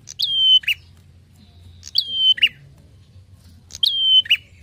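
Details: Prinia (prenjak) song for tutoring and luring songbirds: three phrases about two seconds apart. Each begins with a sharp high note, holds a steady thin whistle, then ends in a short burred note.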